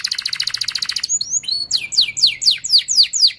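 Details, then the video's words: Canary singing to teach young canaries: rapid pulsed trill, a couple of short whistles, then a regular series of sharp descending chirps about four per second. "Kenari Gacor Speed Rapat Cuit Cuit NGEROL Tajam 99% Ampuh Untuk Pancingan Kenari Paud BELAJAR BUNYI"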